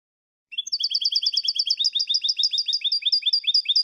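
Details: European goldfinch song used as a tutor recording to teach young goldfinches: after brief silence, a fast run of bright, clear twittering notes, about seven per second, steady and repeated without pause, on a clean background.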